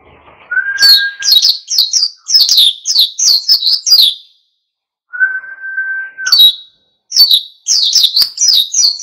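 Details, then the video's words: Energetic wild-style oriental white-eye song intended to spur other birds to sing: rapid high twittering phrases, each introduced by a long, steady lower whistled tone, with a short silent gap midway. "SUARA PLECI GACOR NGALAS PANCING EMOSI BURUNG LAIN IKUT GACOR"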